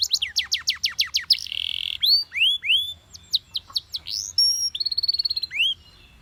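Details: Belgian canary, yellow, singing loudly: a quick series of high sharp notes, a short buzzy roll, then swooping whistles, two pure held tones and a pulsed trill before fading.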